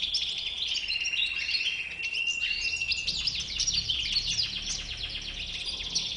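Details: European goldfinch with a white beard, singing a fast, dense run of bright twittering and tinkling notes mixed with short buzzy trills, unbroken for six seconds over a faint low hum.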